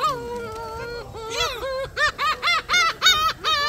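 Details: Noisy gulls at Sinjindo, Seosan, South Korea: a long drawn-out wail, then a fast run of loud, evenly spaced yelping notes about four per second, bright and harmonic.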